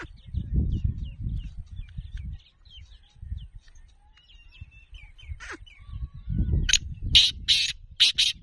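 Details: Kala teetar (black francolin) calling late in the recording: three or four loud scratchy, grating bursts near the end, preceded by faint thin chirps and a steady low wind rumble.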